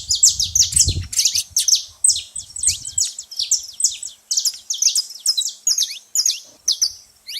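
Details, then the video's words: Noisy saffron finch at a feeding spot, giving continuous rapid high chirps and sharp slurred notes, with brief low thumps early on. "canário da terra fazendo muito barulho na seva"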